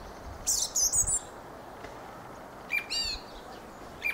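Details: Singing Fieldfare giving two bouts of thin, squeaky, chattering notes with short rising slurs and a separating pause, then a single high chip at the end.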